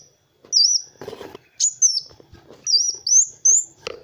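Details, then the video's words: Kolibri wulung sunbird used as a tutor recording for other birds: bright, high whistled notes sliding and flicking, in bursts separated by short pauses, with a muffled rustle and a low thud between phrases. "SUARA BURUNG MASTERAN Kowul (Kolibri Wulung) GACOR"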